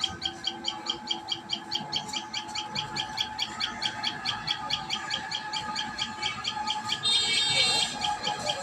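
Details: Rapid series of high, sharp chirps from a common tailorbird at its nest, steady and insistent, ending in a short burst of louder broadband noise.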